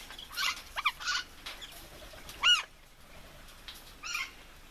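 Red-fan parrot giving short, harsh, raspy calls in scattered bursts, with one clearer, ringing arched note in the middle; a faint background hiss throughout.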